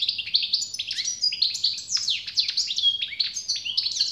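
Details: Continuous European goldfinch song, a rapid liquid twitter of sliding, chirping notes with twangy buzzes mixed in, steady throughout, over a faint low hum.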